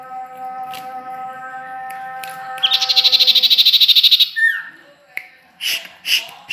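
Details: Sirtu or common iora (cipoh) at Ajibarang: a steady low hum, then a rapid, evenly pulsed buzzy trill lasting under two seconds. It ends with a downslurred whistle and a few short scattered notes.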